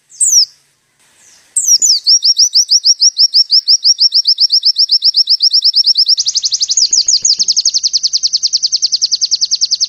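Oriental white-eye giving a long, rapid trill of thin, high notes, about eight per second, after a few sharp opening chirps; nothing else is heard.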